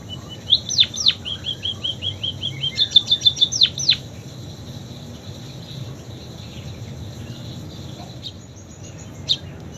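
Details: Munia song with canary imitations: two sharp downward-swept notes, a run of soft quick chips, then a fast high trill of swept notes, followed by near silence with one final high note; faint hum throughout.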